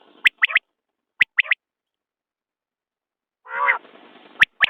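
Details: Common quail: two crisp whistled three-note phrases, then a pause, a rough rasping nasal note, and the start of another phrase.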